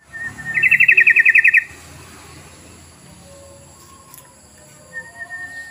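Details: Sooty-headed bulbul lure call: one loud bubbly trill of about a dozen rapid notes after a brief whistle, followed by a quiet stretch and a faint steady whistle near the end.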